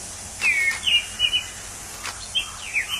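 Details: Orange-headed thrush in the wild giving scattered descending whistled notes and short slurs separated by gaps, with a few clicks and steady insect hiss.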